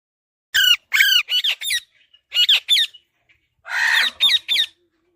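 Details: Baby Alexandrine parakeet calling: a series of harsh, nasal squawks with rising-falling hooked notes, given in short bursts of one to three, with a louder raspy squawk near the end and brief pauses between.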